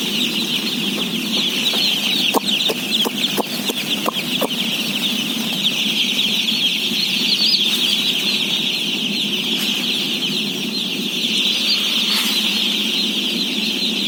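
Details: Day-old chicks at feeding, some 17,000 birds, peep nonstop in a thick high-pitched chorus of quavering cheeps, with a low droning hum beneath and a burst of sharp knocks early on.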